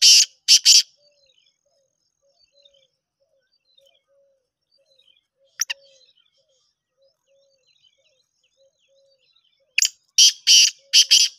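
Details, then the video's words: Kala teetar, or black francolin, calling in the shedi speeder style: a pair of harsh rasping notes at the start, a long near-silent pause broken by one sharp click, then a rapid run of four grating notes at the end. "Shedi Speeder Kala Teetar شیدی اسپیدرکالا تیتر"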